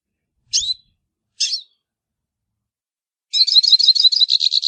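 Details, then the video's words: Song of a hooded siskin, called pintassilgo baianinho: two separate sharp, high chirps a second apart, then a pause and a fast, continuous high twitter of rapid chirps and buzzy trills. No other sounds. "canto do pintassilgo baianinho"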